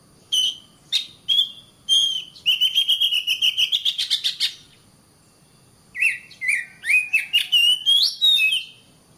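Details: Kacer, the oriental magpie-robin, singing a masteran for training caged birds: clear whistles, then a fast rattling trill of rapid pulses, a pause, and a run of varied rising and falling whistled phrases.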